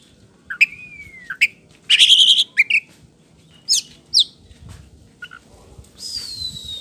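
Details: Lure song of a white-rumped shama, ngeplong style, played so birds answer: a long gliding whistle, a harsh buzzy burst, scattered sharp chips, then a thin hissing wash at the close.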